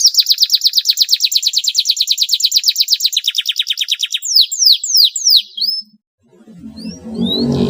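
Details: Canary song used as a lure for sluggish canaries: a rapid high trill, then several slurred downward whistles; after a short gap, low murmuring noise and a few faint chirps follow.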